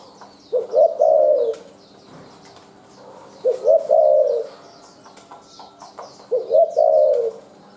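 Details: Spotted dove from the wild repeats a soft, hooting three-part coo phrase roughly every three seconds, with a brief rising lead-in note, over steady high chirping from other small birds.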